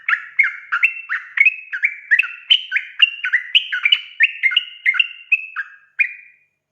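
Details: Sooty-headed bulbul singing in a lure recording meant to make newly caught birds sing: a quick string of bright whistled double notes, some slurred upward and some downward, about three per second, ending in two spaced notes.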